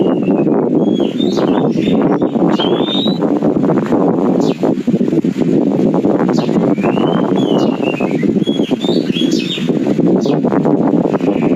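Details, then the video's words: Nias hill myna, a clever bird said to be trainable to talk like a parrot, giving clear whistled notes that slur up and down in short phrases over heavy rumbling wind or engine noise. "JENIS BURUNG JALAK NIAS YANG PINTAR BISA DI MASTER SEPERTI BURUNG BEO YANG BISA BERBICARA"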